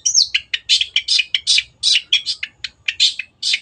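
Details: Long-tailed shrike (cendet) singing actively as a tutor recording for caged birds: a whistled downslurred opening, then a fast run of harsh, scratchy, chattering notes repeated about three times a second, with no other sounds.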